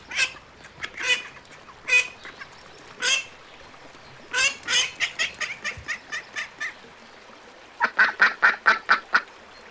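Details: Pond ducks call in a busy, uneven sequence of harsh, honking quacks, with a spell of fast clustered notes in the middle and another quick burst near the end.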